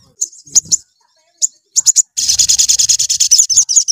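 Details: Sooty-headed bulbul in energetic 'gacor' song, used to provoke other bulbuls: sharp high chirps in short separate bursts, then a dense run of rapid repeated notes over the final second and a half.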